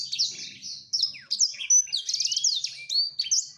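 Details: Black-throated canary male wooing a female with a lively, high song: rapid chirps, downslurred whistles and short buzzy trills strung together, briefly broken by gaps.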